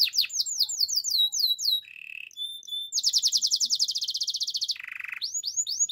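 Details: Waterslager canary training song: fast rising whistled notes repeated in quick series, a short low buzzy roll, a thin steady whistle, then a long rapid high trill and another buzzy roll before whistles resume.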